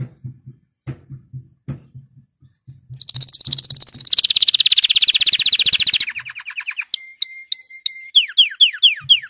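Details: Canary begins with soft low tapping, then sings a dense buzzy rolling trill that slides down in pitch, followed by clipped repeated notes and sharp descending whistled chirps.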